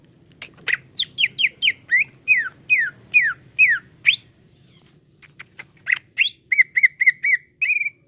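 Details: Green leafbird, locally cucak ijo, lure song to spur caged birds to sing: a long rhythmic string of falling whistled notes, a brief lull, then short sharp notes and level repeated whistles.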